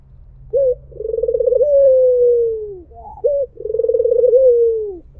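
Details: White Barbary dove repeating its call twice: each starts with a short clipped note, then a drawn-out rolling, trilled coo that swells and gently falls in pitch over about two seconds. A low hum runs underneath.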